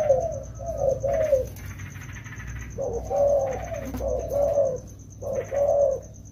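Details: Two wild-caught spotted doves trained in the rainy season: low throaty coos in clusters of two or three, separated by pauses of about a second, with a steady high whine.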